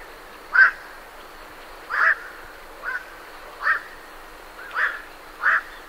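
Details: Night herons leaving their roost give short, harsh croaking calls. Six separate calls come at uneven gaps of about one second over a steady, faint background hiss.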